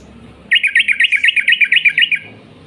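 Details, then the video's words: Sooty-headed bulbul in energetic long 'ropel' song: a single steady rattle of about fourteen evenly spaced, bright chirped notes over a second and a half, then silence. "burung trucuk gacor ROPEL PANJANG"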